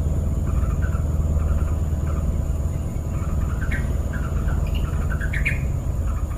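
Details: A wild yellow-vented bulbul gives short, bubbly chirping notes in loose, uneven bursts with a few quick rising phrases, over a heavy, steady low rumble like passing traffic.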